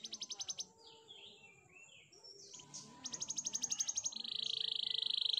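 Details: Canary training song, quieter and more varied: short rapid pulsed trills, soft slurred warbling notes in between, then a fast buzzy rattle and a steady high trill at the end, with faint background hiss.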